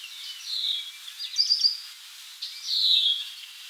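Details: A resting worm-eating warbler giving thin, high calls: a slurred downward note, a quick cluster of sharp chips, then another falling note, spaced over a few seconds.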